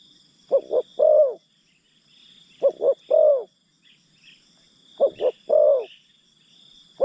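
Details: Spotted dove used as a decoy to lure wild birds, cooing a phrase of two short quick notes then a longer falling coo, repeated about every two seconds over a steady high insect drone.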